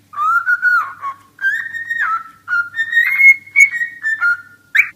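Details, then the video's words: Cockatiel singing a whistled melody of long, smoothly sliding tones, some rising and some dipping, in several phrases separated by short pauses, ending with a brief harsh chirp. "Calopsita Cantando e Falando - Som da Calopsita"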